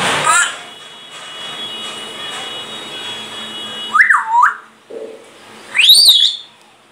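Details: A pet grey parrot that says religious phrases and its name and imitates coughing utters short clipped syllables, then a few loud whistled notes swooping up and down, over a steady background hiss.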